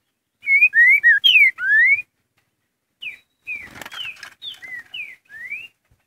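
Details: Curricutil-style song of a green-winged saltator: clear slurred whistles, some rising, some dipping, in a phrase of about a second and a half, then a quieter second phrase broken by a brief burst of rustling noise.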